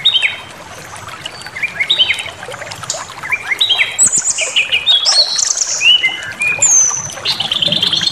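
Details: Brown-chested jungle flycatcher, a lure recording meant to provoke anger, with clear whistled notes, slurred rising and falling phrases and short repeated stepped trills high in pitch, several voices overlapping against a faint hiss.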